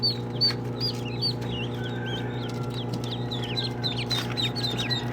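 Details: A group of duckling chicks calls with varied high peeps, some sliding down, some rising. They are loosely spaced and overlapping, above a continuous low hum.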